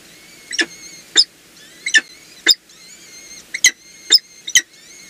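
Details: Peregrine falcons at the Heidelberg nest on the Palatina, during a feeding on 7 April 2020, 14:31: thin, drawn-out whining notes with clear overtones, broken by sharp loud clicks or chips about every half second.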